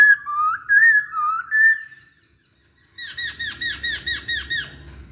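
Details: Lure song of a masked laughingthrush meant to set other birds singing. Wavering whistled phrases are followed by a short silence, then a quick series of downward-curving notes repeated over about two seconds.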